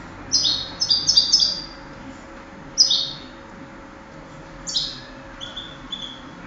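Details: European goldfinch, a contest singer from 2008, giving short bright twittering phrases with a buzzy tinkling quality in three bursts separated by pauses, over low background hum.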